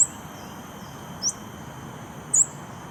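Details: Scarlet-backed flowerpecker in Singapore on 18 July, giving three brief, sharp, very high ticking notes about a second apart over a steady, shrill insect drone.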